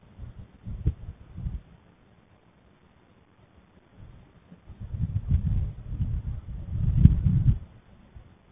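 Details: Low rumbling bumps and muffled thuds in two bursts, separated by near silence, with no calls.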